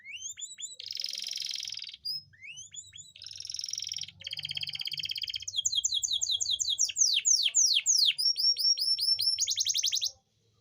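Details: Canary song used to excite females into breeding condition: buzzy rolling trills broken by rising chips, then a long fast sequence of sharp descending notes and a high steady trill.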